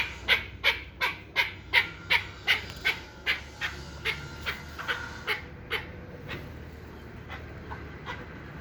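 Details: One-year-old hybrid chukar partridge, kept for fighting and hunting, uttering a rapid series of rough chuk notes that slow and fade away after about six seconds.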